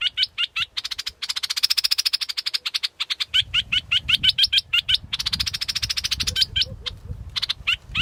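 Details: Scarlet-backed flowerpecker mixing sharp, clicking high chips with longer rattling trills. A low rumble runs through the second half.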